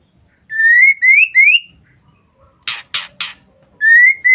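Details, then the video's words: Lure call of a female white-rumped shama, meant to provoke males: three clear rising whistles, a pause, three harsh scratchy bursts, then the upslurred whistles begin again. "Pancingan Suara Murai Batu Betina"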